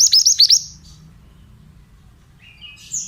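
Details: Lure song of a pied bushchat used to make young, untrained birds reply: four quick, high, downward-sweeping whistles in half a second, then near silence and a faint rising chirp at the end.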